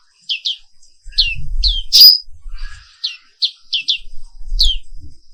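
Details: Black-capped white-eye singing in the morning, an Indonesian species: scattered high downslurred chirps and one harsh buzzy burst, over low rumbling and thumping handling noise.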